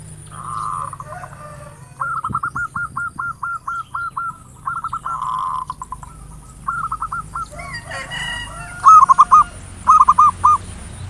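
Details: Local zebra dove song in the ngayer nulop style, used as a lure to provoke other doves to sing: several mid-pitched cooing phrases of rapid, evenly spaced staccato notes, some drawn-out and rolling, ending in short bright phrases.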